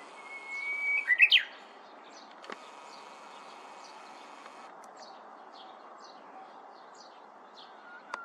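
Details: Korean bush warbler hopping restlessly through bamboo gives one song: a steady higher whistle breaking into a sharp, loud, warbled flourish. Soft high chirps of other birds follow over quiet background hiss, with a couple of clicks.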